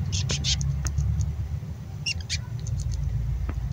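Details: Adult female black-capped chickadee giving a raspy fledgling-like begging call before nesting season, fed by the male; short harsh noisy bursts early on and again midway over a low background rumble.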